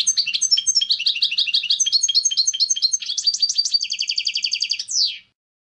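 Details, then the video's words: European goldfinch giving a clean song: fast run of high twittering, tinkling notes, then a rapid even trill and a final downward-sweeping buzzy note; no other sounds. "Clean Song of the GOLDFINCH | Chant chardonneret"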